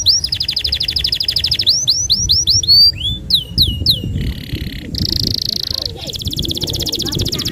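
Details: Singing canary in long 'nembak panjang' delivery, meant as a lure for young canaries: a fast high trill, a run of sweeping whistled slurs, then dense buzzy rolling trills, with low rumbling background noise underneath.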